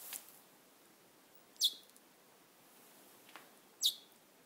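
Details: Little wild bird on a person's shoulder giving two brief high chirps about two seconds apart, with faint soft noises between them.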